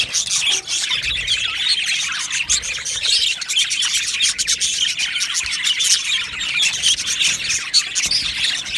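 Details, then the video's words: Australian budgerigar colony kept in an aviary, 12 July 2025: continuous chirping from a crowd of birds, quick twittering notes and occasional louder squeaks layered together. "Australian Budgie Chirping Sounds"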